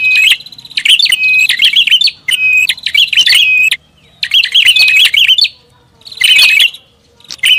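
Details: High, excited chattering of a prinia for bird luring: short bursts of chirps and a level whistle, separated by clear pauses of about half a second.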